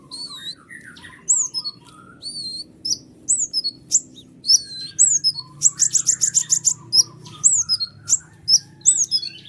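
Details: Van Hasselt's sunbird, white-winged 'konin' form, in a long tight chattering song used to train lazy or young birds: rapid high whistles and sweeps, then a fast run of about ten sharp ticking notes and more slurred whistles.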